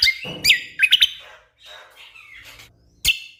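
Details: Orange-spotted bulbul, gacor, for tutoring competition songbirds: a cluster of loud sharp whistled notes, a softer trailing warble, then one final sharp burst.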